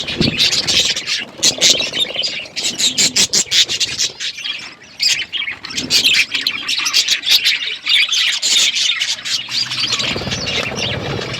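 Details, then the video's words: Pet budgerigars chatter on a winter morning: a long run of rapid high squawky chirps and warbles from several birds, dense and continuous with brief lulls, plus faint flapping. "Budgies enjoying winter morning birds chirping sounds"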